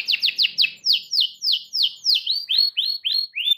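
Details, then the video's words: Frequently singing canary delivering a phrase said to prompt other canaries to answer: about fourteen sweeping whistled notes, first falling sharply, then changing to upward-curving notes, steady and evenly spaced, about four per second. "SEKALI NARIK KENARI LANGSUNG NGEROL NYAUT DENGAN SUARA KENARI GACOR INI"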